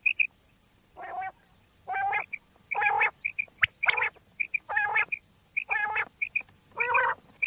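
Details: Repeated common quail calls recorded in Pakistan for hunters: a steady series of buzzy, nasal notes about one per second, each followed or preceded by paired high, clear pips.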